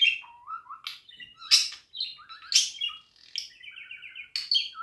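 A budgerigar warbles in a fast, chattering run of high chirps, buzzy rasps and short trilled notes, bursting out roughly every second with no other sounds.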